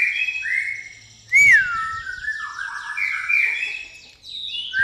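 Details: White-rumped shama singing in the pastol style, filled with fighting house sparrow notes (gereja tarung); long whistled phrases, one loud sliding whistle that dips and rises, then buzzy descending notes, over a steady high tonal background.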